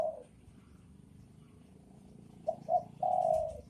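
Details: Spotted dove cooing, male and female: after a quiet stretch, two short notes and a long coo; low background hum.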